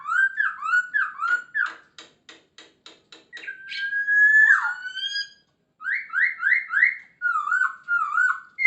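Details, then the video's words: Energetic masked laughingthrush song packed with fills: rolling whistled phrases, a rapid series of dry ticking clicks, a long sweeping whistle that drops sharply, then fast trios of upslurred notes and wavy whistles. "Poksay Hongkong gacor full isian dijamin langsung nyaut"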